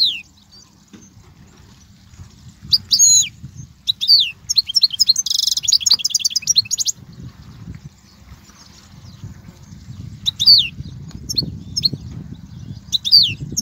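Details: Goldfinch song used to teach young birds: bright twittering phrases of sharp slurred notes with a brief harsh buzzy note in the middle, then quiet before more chirps, over a soft low rumble.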